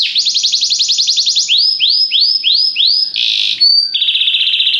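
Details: Belgian canary song for training: a fast rolling trill of high sweeping notes, then slower arched whistles, a short buzzy burst, and a steady high trill to finish.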